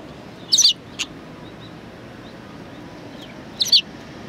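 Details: Sparrows at Tenmangu shrine, 23 January 2019: a pair of quick high chirps, a brief click-like note, then another double chirp about three seconds later, with little else heard.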